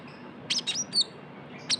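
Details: Young Javan white-eye lure sound: a quick cluster of three or four high, buzzy chirps, a pause, then one final sharp chirp.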